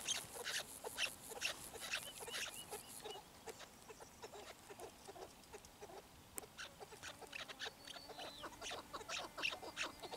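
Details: Repeated clucking chukar calls come at a fast, uneven rhythm of about two per second, with overlapping birds and a faint steady hum.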